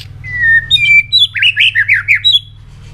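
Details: White-rumped shama in a training song for rousing fast, varied singing: a long falling whistle and short high notes lead into a quick series of about seven rolling warbled syllables, with faint hum beneath.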